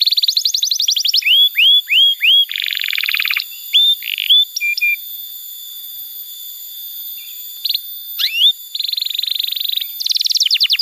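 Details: Lively canary singing meant to lure and train young birds: a rapid high trill, rising whistled hooks, a buzzy rattle, and short chips, then a pause and more trills and rattles. A faint constant high tone runs throughout.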